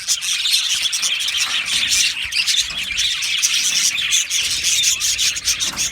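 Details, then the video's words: Colony of Australian budgies in an aviary, chirping together in a dense, continuous chatter of high twittering notes and short squeaks that overlap without pause. "Australian Budgie parrot sounds | Budgie parrot chirping sounds"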